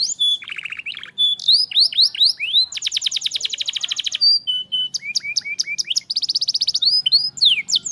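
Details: Singing canary meant to coax a stalled, quiet canary into song: varied high tours switching between sharp upward chirps, a dense buzzy rattle, level thin whistles and quick repeated trills, with barely a break.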